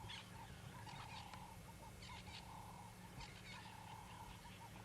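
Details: African fish eagle (Haliaeetus vocifer) calls on a morning sunrise safari drive at Simbambili Game Lodge, 23 May 2020: a ringing series of yelping notes rising and falling in quick runs, over a steady low engine hum.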